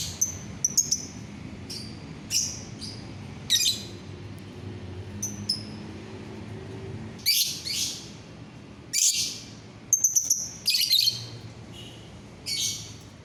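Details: Lovebird, 9 December 2021: scattered sharp, piercing high chirps, some in quick doubled clicks, in irregular bursts over a soft low hum.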